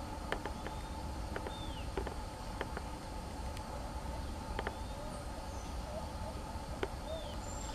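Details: Ochre-collared piculet pecking hard on wood in search of food: sharp, irregular dry taps, single or in quick pairs, spread over a few seconds, with faint thin whistles from other birds and a steady low background hum.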